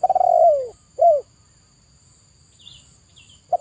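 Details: Zebra dove song played as therapy for stressed birds reluctant to sing: a pulsed start running into a long, low, descending coo, a short second coo, then quiet with faint high chirps and a final short note.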